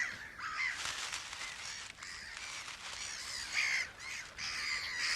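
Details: Breeding colony of gulls on an island in a salt lake in Hungary's Puszta, named Mediterranean gulls but possibly Black-headed Gulls: many overlapping harsh, grating cries with sharper squeals, circling and calling that alert a badger the gulls try to frighten off.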